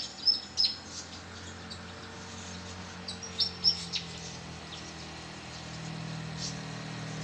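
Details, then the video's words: Fantails fighting noisily at an arbour on 4 April 2023 give thin, very high chip notes in quick pairs, two bursts a few seconds apart, over a steady low rumble of distant traffic. "นกอีแพรดตีกันสนั่นซุ้ม มีเสียงนกร้องด้วย"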